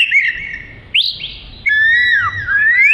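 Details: Oriental magpie-robin (kacer) singing in energetic gacor style, suited for isian: a held whistle, a sharp upward slur into bright notes, a pause, then long gliding whistles that dip and climb again.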